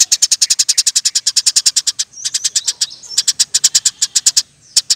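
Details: Eurasian tree sparrow in lively, nonstop chirping, offered as a training and lure recording for birds: loud high chirps fired about seven per second in long runs, broken by a short buzzy passage and a brief pause.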